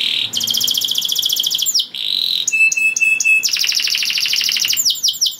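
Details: Canary in gacor song to raise breeding desire in other canaries; steady high whistle, long buzzy trill, metallic ticking series, then another rolling trill ending in swept notes.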